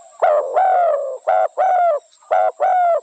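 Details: Spotted dove cooing in soft, hollow notes: a long drawn coo, then paired shorter coos, repeated twice with short pauses between phrases. A faint high whine stays steady in the background.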